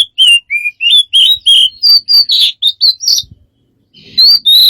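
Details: A bird giving a run of varied whistled and chirping notes, many sliding or rising, about three per second, with a short pause before a final pair of clear whistles.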